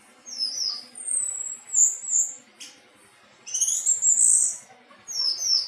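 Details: Anis teleng thrush singing: high, bright whistled and squeaky phrases, some rising and falling, in short bursts separated by brief pauses, with a sharp click near the middle and faint low background murmur.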